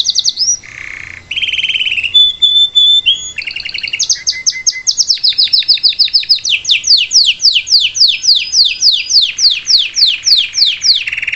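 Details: Canary of the salsa style sings live to train a young bird; varied opening of low rolls and held high notes, then a long run of rhythmic descending whistled strokes repeated several times a second.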